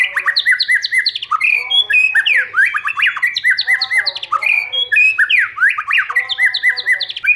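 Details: White-rumped shama singing in many voices, a stimulating song used to train shamas to sing well: dense run of loud whistled and slurred notes, many sweeping up and down, packed with rapid chips and trills, almost without pause.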